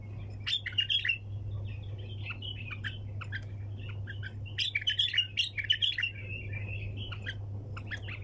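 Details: A bulbul delivers 'tak janah' song in the 'sayyad' style. Loud, rapid bursts of sharp whistled notes come in clusters at the start and middle, joined by softer warbling, with a low steady hum.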